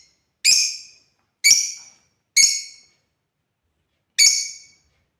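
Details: African lovebirds, kept as pets and shown playing, give sharp harsh chirps spaced about a second apart with longer gaps, each burst bright and high with a quick fading tail, in otherwise silent surroundings.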